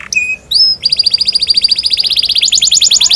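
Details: Canary song, loud and bright: a few rising whistled notes, then fast repeated trills of sharp metallic chirps, about three to four per second, shifting to a higher rolling trill near the end.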